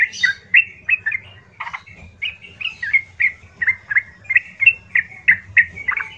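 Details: Loud, coarse song of a yellow-vented bulbul meant to goad rival bulbuls into replying; short liquid chirps follow one another about three per second in an even chain, over a soft low background hum.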